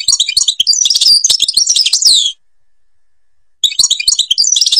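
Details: European goldfinch, Algeria, Babas forest song style: dense rapid twittering with bright ringing trills and down-slurred notes, a silent gap of over a second, then the twittering resumes just as fast.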